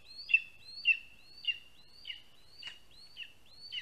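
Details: Lesser spotted eagle chick in Latvia begging from a parent bringing food to its spruce nest, summer afternoon; seven sharp, high whistled yelps about every half second, each with an up-sweeping start, plus one brief click.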